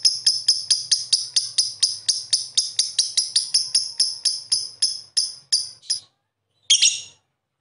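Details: Lovebird calling in a quick train of sharp, high clicking notes that slow and fade toward the end, a short gap, then one harsh burst.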